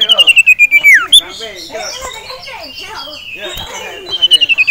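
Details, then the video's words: Agitated caged male sirtu, stirred by a rival and a female, gives a rapid high trill falling into a swooping whistle, then jumbled chatter, then another quick trill of even notes. "CIPOW Ngamuk Melihat SIRTU JANTAN Dan Betina"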